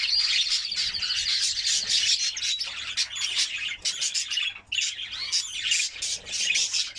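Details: Mating-stimulation training song from a white canary: a fast, buzzy, rolling trill held high, with a short pause near the middle before the chattering resumes.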